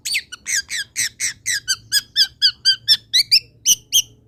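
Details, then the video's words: Long-tailed shrike song played as a tutor for other birds: a fast steady series of loud, harsh squeaky notes, about three per second, each sliding downward, over a faint low hum. "MASTERAN CENDET ANTI GAGAL - CENDET MANAPUN IKUT BUNYI DENGAR INI"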